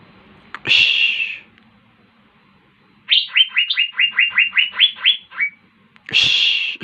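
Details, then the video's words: Asian fairy-bluebird in full song (gacor): a harsh rasping burst, a pause, then a rapid string of about eleven rising whistles, ending with another grating rasp. "KICAUAN BURUNG CUCAK BIRU GACOR"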